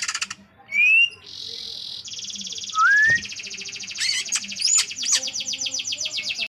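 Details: Greater green leafbird pouring out a mimic-like song, rising clean whistles alternating with long buzzy churring trills and quick sharp chips, ending in a pulsed rattling series.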